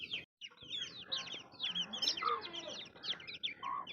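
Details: Chorus of baby chicks giving high, quick downward-slurred peeps that overlap continuously, with a brief gap near the start and a couple of lower, steadier tones in the background.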